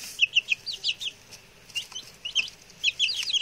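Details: Newly arrived male chicks, six of them, settled in well and very chatty; shrill rapid peeps in clustered runs, a short lull midway, then more insistent peeping toward the end.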